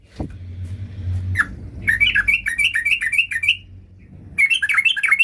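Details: Sooty-headed bulbul singing in a bout described as seeking a rival: after a low hum and a click, bursts of bubbly, chattering notes in rapid repeated rising-falling phrases begin, pause briefly, then resume.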